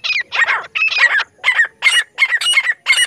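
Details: Francolin hunting call for luring birds: loud, harsh, squawking notes in short clustered bursts, about seven groups in three seconds, with clear gaps between them.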